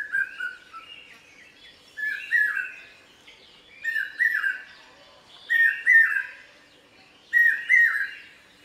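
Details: A Common hawk-cuckoo in the Konkan region gives loud, shrill, rising phrases of about three notes, repeated every couple of seconds, with faint high chirps of other birds behind.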